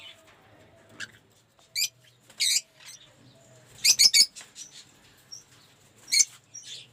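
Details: Lovebirds in an aviary collection give scattered, high, sharp chirps, some in quick triplets, over a faint low hum.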